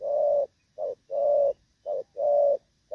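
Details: Moulting spotted dove cooing in the Thổ Pha style, recorded 3 June 2024: low hoarse coos alternating long and short notes, a drawn-out phrase followed by a brief one, repeated about once a second in a quiet setting.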